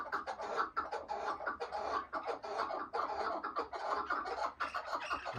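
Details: Chukar partridge giving rhythmic bursts of harsh clucking chuck notes, each burst a quick series of rasping pulses, with brief gaps between the volleys.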